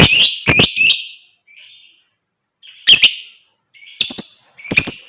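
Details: Lovebird chirping, used to stimulate other birds to sing: harsh, buzzy, squeaky chirps in short clusters with brief silent gaps, and thin high notes mixed in.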